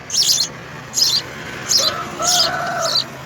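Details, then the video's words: House sparrow nestlings being fed insects by a parent, giving high hissing begging bursts about every 0.7 seconds, with a faint tonal wavering line underneath in the second half. "House Spsrrow Feeds Insects to Babies"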